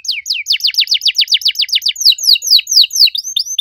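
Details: Canary with a loud song of unique phrasing: about fifteen quick downslurred whistled notes in a steady series, shifting to slower arched whistles near the end.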